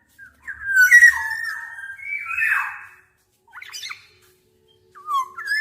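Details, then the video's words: Black-naped oriole uttering a drawn-out whistle followed by a harsher, nasal downslurred note, then short broken whistled fragments after a pause. "Tiếng chim Vàng anh Gáy đen/ VA Trung Quốc ✅Black-naped Oriole(Oriolus chinensis)"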